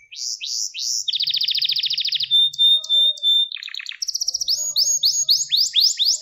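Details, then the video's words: Gloster canary training song, meant to stimulate males and excite them for breeding. Rapid repeated downslurred notes, then a long buzzy trill, a steady high whistle and more fast rolling tours. A faint low murmur sits underneath. "Gloster Kanarya Eğitim Sesi Canlı Görüntü | Gloster Kanarya Ötüşü Erkek Huylandırma Ve Kızıştırma"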